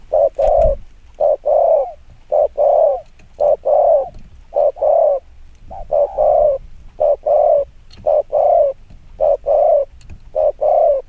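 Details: Very rapid cooing of a spotted dove, used to provoke other doves: evenly spaced short, soft, mellow coo notes, often paired, repeating steadily for eleven seconds over quiet background noise.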